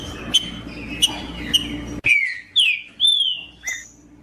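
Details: Green-winged saltator kept by breeders for singing tournaments, its song played to warm up a cold caged bird: short sharp ticks, then a run of loud, slurred whistled notes, several falling, spaced about half a second apart.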